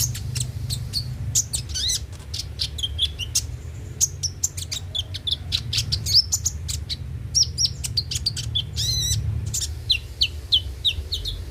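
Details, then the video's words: Kolibri ninja (konin) singing, played to coax kept birds into song: rapid bursts of sharp high ticks and chirps mixed with short whistled slurs and a trill near the end, continuous against a low electrical hum. "pancingan suara burung KONIN agar rajin bunyi tiap hari"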